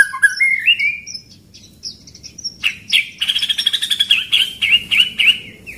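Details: White-rumped shama singing a training song in the pastol style with a rolling 'tembakan' rhythm: clear whistled notes sliding upward, then a fast run of sharp repeated chips, about three or four per second, with a high whistled phrase.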